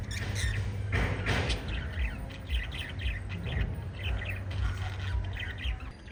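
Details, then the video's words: Five lovebirds chirping in bursts of harsh, squawky high notes, some sharp and clustered, over a loud steady low hum throughout. "Five Little Lovebirds Chirping Sounds"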